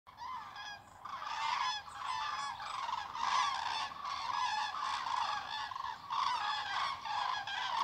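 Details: In October 2018, a flock of common cranes flies overhead near Pruchten, Barth and Zingst on the Darß, Mecklenburg-Vorpommern, giving loud, rolling trumpeting calls that overlap continuously, with many birds calling at once.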